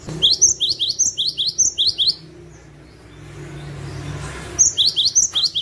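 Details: A cinereous tit sings fast runs of high, ringing two-note phrases, about five a second, used as a trapping lure call. The song pauses for two seconds, then resumes over a faint low hum.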